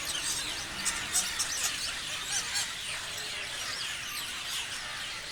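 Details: Many parrots chirp together in an even, high-pitched chatter, with a handful of sharper, louder squeaks popping out early on.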